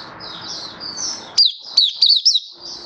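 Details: Malaysian white-eye in song on a stable, warm, sunny day in Singapore, 2023. A soft, high, wavering twitter leads into a few sharp, descending chirps, with faint background hiss.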